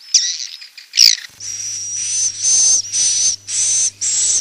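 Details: Roosting call of swiftlets, used to attract them: two sharp, squeaky notes, then a run of sustained, hissing high buzzes with short breaks, over a faint hum.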